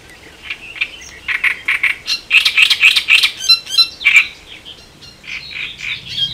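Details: Great reed warbler song from the Elbe river landscape, Germany: a rapid, croaking chatter of repeated harsh syllables building in loudness, then rasping squeaky notes trailing off near the end.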